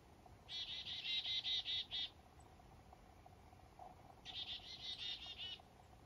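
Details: Black-capped chickadees on a foggy morning up north during a fishing trip: two bursts of six or seven harsh, buzzy notes in quick succession, separated by a quiet pause of about two seconds.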